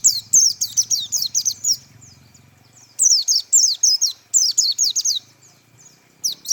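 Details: White-eye singing in the tembakan style: bursts of high, rapid, downward-sweeping whistled notes, about ten per burst, separated by brief pauses, with faint low background hum.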